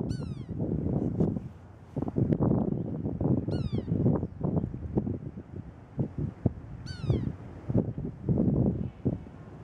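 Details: Sapsucker, possibly young, calling at daybreak in cold, windy weather: three descending, cat-like mewing cries spaced a few seconds apart over loud, rumbling wind.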